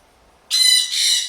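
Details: Pet blue-and-gold macaw kept indoors with a sun conure and a parrotlet, making noise when bored and telling the other birds to stop: one loud, harsh, raspy squawk in two joined parts, lasting under a second.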